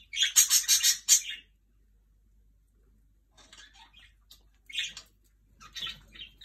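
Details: Jenday conures sharing bread give a loud burst of harsh, screechy chatter, then quieter scattered squawks and chirps after a pause.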